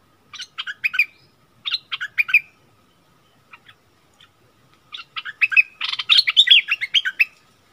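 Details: During a heated duel between a bulbul and a wild bird, 27 March 2021: scattered short phrases of sharp chirps, a quiet gap with faint notes, then a dense, excited rush of warbled chirping.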